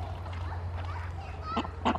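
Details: A female Pekin duck on a small homestead in hot summer weather gives two short, harsh, nasal honks near the end, over a steady low hum and a person talking quietly.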